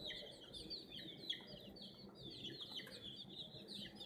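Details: Chicken chicks cheeping nonstop beside a toy crane: a dense stream of shrill descending peeps over a low rumbling background.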